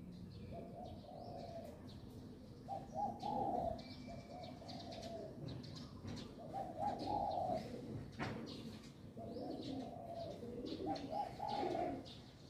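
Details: A dove cooing on 1 January 2023 gives soft, low, rolling coo phrases, repeated roughly every four seconds, with faint chirps of other birds and a steady background hum.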